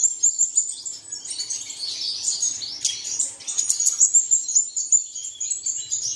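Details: Shrill, unbroken chirping and twittering of several birds, a recording for setting caged birds singing in the early morning; notes are rapid, high and squeaky with brief louder sweeps.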